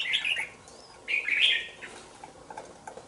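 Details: Two-month-old caged red-whiskered bulbul delivers two loud, rich, warbling phrases about one second apart, followed by soft scattered chips.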